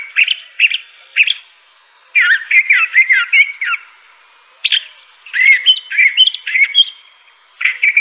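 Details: Crissal thrasher from the southwestern United States delivering a varied song: short paired notes, a long tumbling warbled phrase, a pause, then more mixed slurred and whistled phrases.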